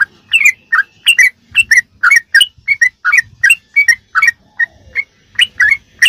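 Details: Rapid 'ropelan' song of a sooty-headed bulbul, offered as a tutor recording for kept birds: a steady string of clear whistled chirps, some slurred upward, each about a third of a second long, with faint low noise.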